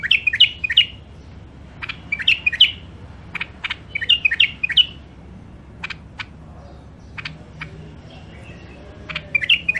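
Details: Caged songbirds from Mandali, Iraq, sold as wild birds: groups of two or three rich, warbled whistles alternate with isolated sharp chirps, separated by brief pauses. A soft hum runs in the background.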